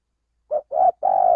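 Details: Indonesian male spotted dove, recorded to lure birds for trapping, uttering a three-note coo: two brief low notes followed by a long, even, faintly throbbing hoot running to the end.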